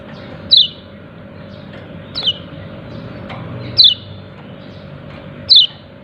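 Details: Yellow-breasted white-eye giving "ciak ciak" calls: four high downslurred chirps, one softer, spaced about 1.5 seconds apart, with a steady low hum.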